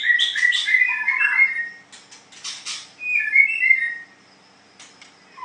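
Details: Singing-contest White-rumped shama delivering rich warbled phrases and bright whistles, bursts of clicking between phrases, a pause of silence near the end, faint electrical hum throughout.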